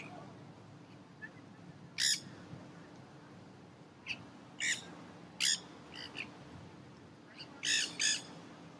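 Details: Wild feral nanday parakeets, black-hooded, feasting in a pandemonium in crape myrtle trees in downtown St. Petersburg, Florida; harsh broadband squawks, single and paired, scattered irregularly over several seconds against a quiet hum.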